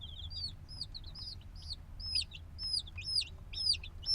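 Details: Black chicks hatched a few days ago, still needing warmth from the mother, give high peeping chirps in a field recording, short down-slurred notes repeated about twice a second, sparse at first and growing denser, over a low hum.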